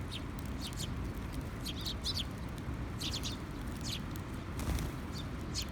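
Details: A sparrow recorded on 20 June 2021 gives short, bright chirps, single or in quick pairs, every second or so, over a steady low rumble of wind or traffic.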